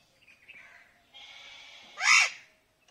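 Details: A pet ring-necked parakeet gives one loud, harsh, arching squawk near the end, after a few faint softer chatters over a steady background hiss.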